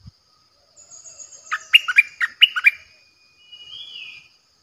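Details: Bulbul kept as a decoy bird, nok dok taeng, 8 May 2021. Soft warbling leads into a loud run of six bubbly chirped notes, followed by a long, thin whistle that slurs up and then down. A constant high-pitched whine sounds behind.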